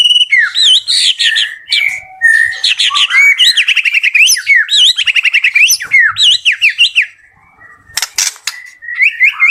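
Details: Captive White-rumped shama at a bird farm, praised as very vocal, pours out loud, rapid song of varied high whistles, rising sweeps and quick repeated notes, pausing briefly near seven seconds before a sharp burst and renewed whistling.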